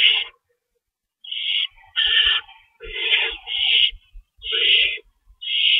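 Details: At an owl nest in the early hours of March 25, 2012, during feeding with an adult shredding rabbit: uneven raspy hisses, some run together into longer breathy screeches, with faint low knocks and rustling between.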